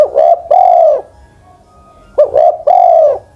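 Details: Spotted dove kept as a ground decoy, more than ten years old, gives two loud coo phrases, each a quick stuttered note followed by a drawn-out, gently falling coo, with silence between.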